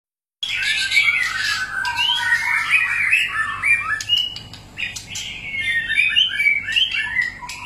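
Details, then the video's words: White-rumped shama singing a many-voiced song, used to stir other shamas into song: a dense run of rich whistled phrases, mostly mid to high pitched, sliding and warbling without pause, with sharp clicky notes scattered between them. "kích chòe lửa hót,chòe lửa hót nhiều giọng"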